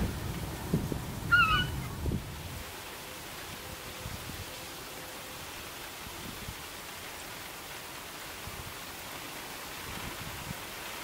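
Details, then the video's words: Juvenile Baird's Sandpiper at West Angle Beach, a remote coastal spot, 24 August 2012, gives one brief, rough, rolling call near the start, then falls quiet, over low wind or surf rumble. "Baird's Sandpiper"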